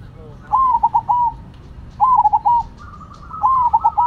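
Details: Perkutut, the zebra dove, of the Cemani and Silver kinds, kept as songbirds: three repeated phrases, each a rising note, rapid broken coos and a drawn-out tail, with a softer dove cooing behind.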